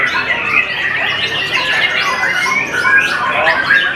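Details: White-rumped shama, called Sangkakala, singing a dense run of loud, varied whistled phrases that sweep up and down without a break, with overlapping chatter and squawk-like notes throughout.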